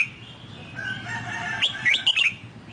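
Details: Red-whiskered bulbul, Song Kon song style, for training a newly purchased wild-caught bird: a phrase of four or five bright, slurred chirps in the second half, over a faint murmur of lower tones.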